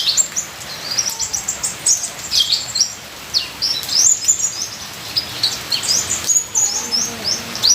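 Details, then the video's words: Ninja sunbird singing a full, varied song: rapid high thin chirps, trills and sharp upslurred notes in dense bursts, over a steady hiss of rain-like background noise. "Terapi Suara Kolibri ninja full isian"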